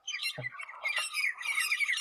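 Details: Grey Francolins in territorial defence give harsh, shrill, rapidly repeated screechy notes in a dense, continuous run; a single low thump sounds near the start.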